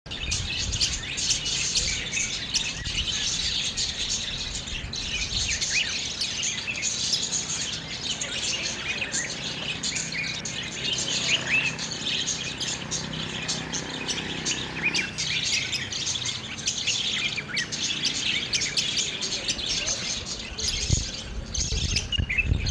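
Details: A flock of budgerigars, foraging, chatter in a dense, unbroken stream of high, scratchy chirps and warbles.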